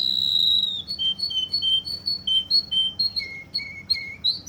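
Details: Russian canary recorded in Kuwait: a long opening whistle, then evenly repeated two-note chirps stepping lower, about four per second.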